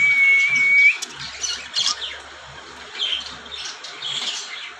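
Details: Cockatiel giving a clear, steady whistled note with a slight upward flick at its end, followed by rough squawks over a noisy background.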